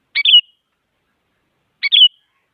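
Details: Female sooty-headed bulbul calling to a male, played to rouse quiet bulbuls: a pair of brief two-part chirps, a clipped opening note then a slurred buzzy trill, spaced nearly two seconds apart in silence.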